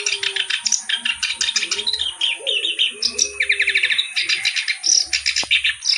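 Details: Reed warbler (kerak basi) singing a lively, richly varied song: dense runs of harsh chattering notes and short whistled phrases, fast and continuous, with brief buzzy trills throughout.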